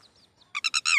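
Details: Mother red-wattled lapwing (Titehri) on her eggs near a school at Mount Abu, calling her chick: a quick burst of four strident, harmonic notes, the last one longer and falling, after a few faint thin whistles.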